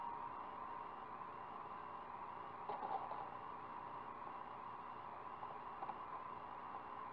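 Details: Low steady hum and hiss, with a brief soft rustle near the middle and no animal calls.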